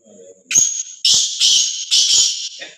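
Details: Home-kept pet black francolin, a spirited young male: loud, harsh, buzzy call in about four strong grating bursts, each roughly half a second long. A faint low tone comes just before.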